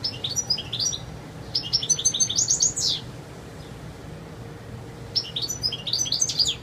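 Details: European goldfinch singing a clear wild song: long runs of rapid twittering and rising high chirps, a pause of about two seconds, then another lively phrase; faint low hum throughout.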